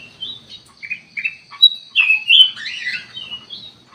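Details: Kutilang emas lure song for drawing birds to respond: short chirps at first, building into a louder run of bubbly, rising and falling warbled notes near the middle of the clip.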